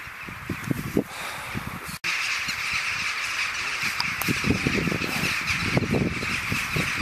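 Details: Many thousands of rooks gathering to roost on a winter evening in a field at Buckenham Carrs, Norfolk, 31 December 2011; a dense, continuous chorus of harsh overlapping caws with steady background hiss.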